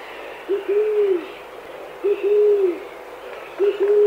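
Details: Chilean pigeon (Patagioenas araucana) in Chile giving low, hollow coos: a short note then a longer drawn-out one, repeated about every one and a half seconds over faint background hiss.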